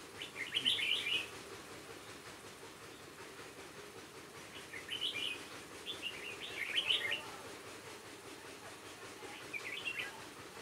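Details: A red-whiskered bulbul from Hòa Bình serves as a trap decoy on 18 November 2017. It repeats bubbly whistled phrases every few seconds against a faint steady background hiss.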